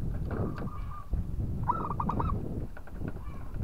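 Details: Local zebra dove singing to provoke a rival: a short run of four rolling coos partly buried under loud, continuous low-pitched noise.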